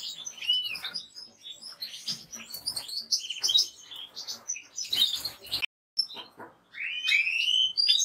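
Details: European goldfinch song: dense jingling twitter of high chirps and buzzy trills, a short gap near the end, then rising curved whistles resume.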